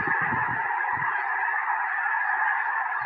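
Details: Hundreds of wild snow geese circling and landing in a field beside a house in Tennessee, days before a predicted historic snowstorm, January 21, 2026; a dense, unbroken chorus of high, yelping honks from the massive flock, with low thumping bursts early on.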